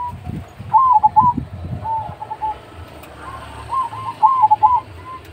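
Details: Majapahit-type zebra dove with a big voice, a lure recording meant to set other doves singing: mellow cooing phrases near one pitch, two bursts of rolling coos separated by softer notes, with low thumping knocks underneath.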